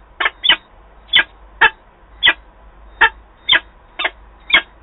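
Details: Peregrine falcon calling at a nest box in Wałbrzych, Poland, on 11 October 2022 as the female returns and meets the male; harsh, grating notes repeated about twice a second, nine calls in a row, against a quiet background.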